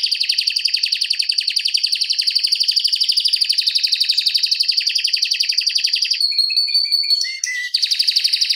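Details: Canary song for training other canaries: a long, tight, fast rolling trill holds steady for about six seconds. It is followed by a high whistle, a few short chirps and a return of the buzzy roll.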